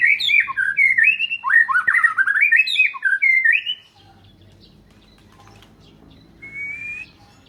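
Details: Murai batu, the white-rumped shama, delivering a fluid run of looping whistled phrases for about four seconds, then near quiet broken by one thin rising whistle.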